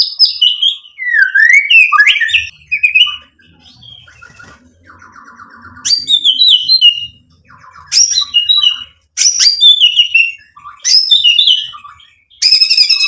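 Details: Energetic white-rumped shama song used to provoke other birds into answering, showing off mimicked material: varied whistles and sharp high notes in short bursts, with softer buzzy low passages and pauses between.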